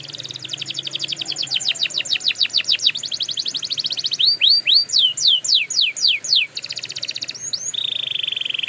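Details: Canary singing for training: a dense rattling trill turning into a series of separate falling sweeps, a burst of loud looping whistles, then a steady, smooth, high rolling note.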